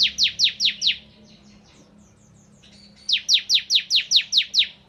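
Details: Ciblek kristal, a crystal bar-winged prinia, singing hard in 'nembak ngebren' fashion: five quick piercing downslurred chirps, a quieter gap with soft twitters, then a burst of eight more.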